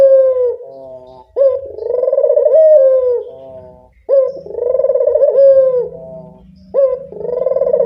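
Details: Local turtle dove used as a lure, repeating a deep coo phrase about every two and a half seconds, each opening with a quick upward flick and swelling into a rolling, tremulous purr.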